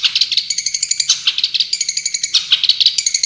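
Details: Tembakan song of a champion Long-tailed shrike: a steady, bright stream of fast high chips, roughly ten per second, mixing whistled and rattling notes with barely a pause.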